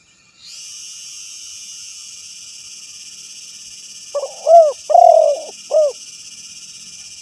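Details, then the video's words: After a rise of steady high hiss, a spotted dove (tekukur) gives one coo phrase: arched coo, long coo and short arched coo. "suara burung tekukur terbaru"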